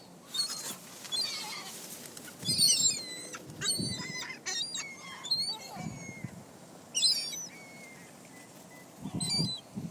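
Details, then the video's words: Flock of gulls scavenging pizza crust beside a car in Closter, New Jersey; repeated sharp, high, harmonic squawks and thin sustained whines, some short low thumps and bumps in the background. "NJ seagulls love PIZZA!"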